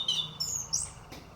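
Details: Orange-headed thrush song used as a lure to prompt other birds to open their beaks and sing; loud, high whistled phrases, one sharp note followed by rising, sliding notes, over a faint low hum.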